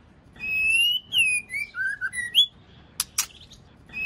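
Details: Female white-rumped shama, sound meant to spur males to sing: long clear whistles stepping lower, a short upward note, then two sharp clicks and a faint chatter.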